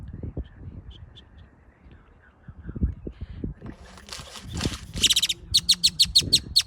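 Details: Great-tailed grackle giving a burst of harsh, broadband rattling notes followed by a quick series of sharp, high clicking notes, about eight in a row, after a quiet stretch of low rumbling background noise.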